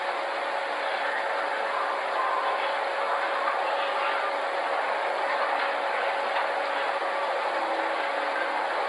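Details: Steady, dense mechanical rumble like a running engine or train fills the whole recording, with a faint constant tone and no animal voices.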